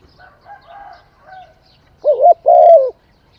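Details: Quiet tonal murmurs lead into a spotted dove's coo phrase, a short dipping note and then a drawn-out, slightly wavering low coo, all close and clear.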